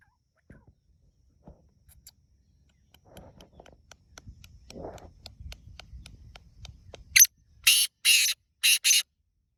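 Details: Black francolin singing in fields in Pakistan: after faint rustling and low murmurs, a loud harsh raspy phrase bursts in near the end, a short note, a longer grating note, then two quick rasping notes.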